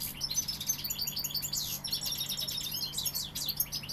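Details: European goldfinch, Sevillian, pouring out dense bright twittering with rapid chirps and rolling slurred notes throughout, steady faint hum beneath.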